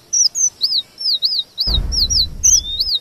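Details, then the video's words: High, looping whistled notes from a red avadavat, sung as tutor material for white-rumped shamas. Each note arcs up and down, repeated steadily, with a rising slur near the end over a brief low rumble. "Emprit geni STRAWBERRY gacor MASTERAN kombinasi BURUNG KACER"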